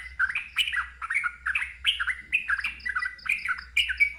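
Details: Loud ngeropel-style singing from a sooty-headed bulbul, a quick run of chirpy, rising-and-falling slurred notes packed closely together, over a faint low drone.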